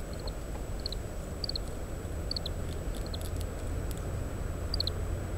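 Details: Oriental greenfinch giving call notes while feeding on seeds from split summer camellia fruits, shelling them, recorded with a parabolic microphone in strong wind: short high twittering notes in pairs and triplets, scattered over constant low wind rumble.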